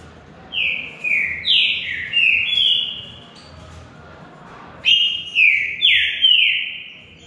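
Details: Green-winged saltator (bico-de-ferro) in a singing contest delivers two bursts of rich whistled phrases, each note a downward slur, with a quiet pause of about a second and a half between bursts.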